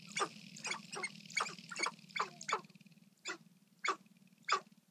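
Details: Sharp-tailed grouse at a Colorado lek in April 2014, taken at close range on an iPod. About eleven abrupt, raspy clucking notes come in an uneven rhythm over five seconds, over a constant low droning hum.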